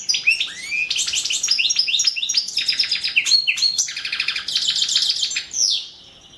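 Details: European goldfinch, Balkan form Carduelis carduelis balcanica, singing in a 2017 internet song championship entry: fast tinkling twitters and buzzy trills, high liquid notes tumbling in continuous runs, ending with a drawn-out descending buzz.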